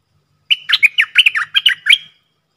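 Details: Stripe-throated bulbul singing a decoy song: one lively run of about ten bright, slurred notes that jump up and down in pitch, lasting around a second and a half.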